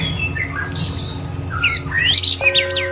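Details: Murai batu, the white-rumped shama, delivers a varied run of whistled notes, some sweeping sharply up and down, over a low hum and steady background tones.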